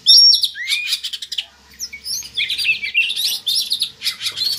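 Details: Oriental magpie-robin song used as a lure to raise breeding drive in captive birds: clear high whistled notes, rising and falling slurs, and quick chattering phrases in an unbroken varied stream.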